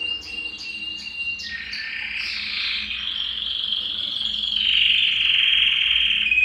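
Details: Belgian canary singing to stimulate males and bring females into breeding condition; a few spaced high chirps, then a continuous loud rolling trill that grows stronger toward the end.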